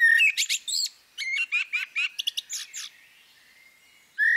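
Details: Female common blackbird repeating short sharp chirps in quick irregular runs, about a dozen notes, then a pause and one more loud chirp at the end.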